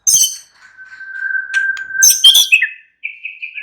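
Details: Caged white-rumped shama in relaxed song: a long level whistle, a sharp burst of harsh high notes, then a quick series of repeated short whistled notes.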